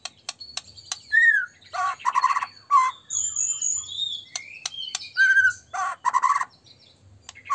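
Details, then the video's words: White-rumped shama singing energetically, a recording meant to spur other shamas into song and agitation: a varied medley of sharp clicks, liquid slurred whistles and harsher chattering bursts, with brief pauses between phrases. "murai batu gacor AMPUH buat PANCINGAN murai batu agar bunyi JADIKAN burung murai LANSUNG EMOSI"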